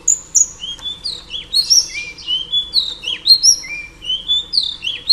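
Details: Female Oriental Magpie Robin singing a varied run of clear whistled phrases, sliding notes dropping and rising between high and mid pitch, delivered in quick bursts with brief gaps and faint background hiss.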